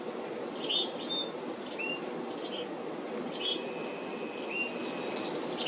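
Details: Feeder-side black-capped chickadees on 17 July 2025 mix sharp high notes with longer level lower whistles, some drawn out for about a second, over a continuous low background hum.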